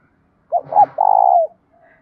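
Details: Spotted dove song used for luring and training doves: a pair of short coos and a sustained vibrating coo falling slightly at its end, with a faint low rumble beneath the first notes.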